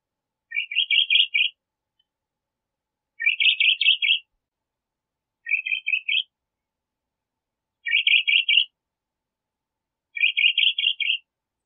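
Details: Crissal thrasher repeating a brief rattling phrase of quick buzzy notes five times, roughly every two and a half seconds, each phrase rising slightly; silent in between.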